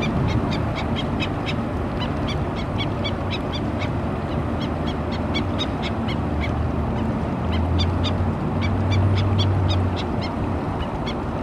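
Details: At Oso Creek in Laguna Niguel, California, a black-necked stilt mother alerts her chicks in late April 2017 with rapid, insistent runs of short yipping notes, several per second, over constant heavy low-pitched background roar.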